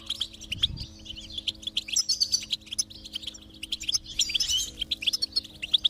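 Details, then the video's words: Goldfinch stimulation song: continuous lively high twittering with buzzy trills and quick chirps, a steady low drone running underneath. "is Your Goldfinch Silent? Give it this stimulation and see the difference"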